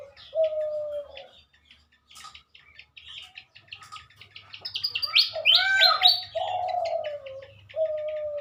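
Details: Pied fantails in the morning, a captive pair being matched for breeding before release in an Indonesian village area in 2023: clustered high chirps and stepped squeaky notes, with long, low, falling whistles and a faint steady hum beneath.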